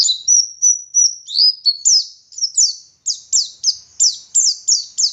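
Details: Oriental white-eye from Garut, West Java, singing: opening thin level whistles, then a long even series of high, sharply falling chirps.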